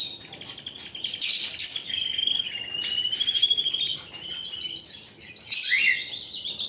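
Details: Canary singing a strong, continuous song: high trills and rapid repeated notes, a long steady whistled phrase near the middle, then fast descending rolled trills toward the end.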